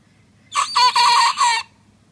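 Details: Young rooster trying to crow: one hoarse, harsh cock-a-doodle-doo about a second long, broken into three or four rough segments, over a quiet low background hum.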